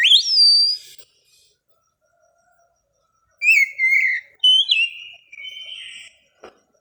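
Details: At dawn an Oriental magpie-robin, set out in the morning dew so it will not become over-aroused, gives a rising whistled note, a pause, then a run of falling and wavering whistles.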